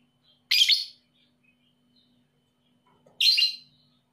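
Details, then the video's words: Two brief, shrill, rasping lovebird chirps about 2.7 seconds apart, with near silence between them. They come from a 'paud emosi' style lure used to get lovebirds singing. "PANCINGAN LOVEBIRD PAUD EMOSI"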